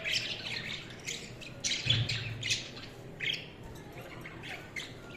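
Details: Budgies chattering steadily, mixing warbled notes, buzzy squawks and quick chirps in irregular bursts, with a brief low thump near the two-second mark.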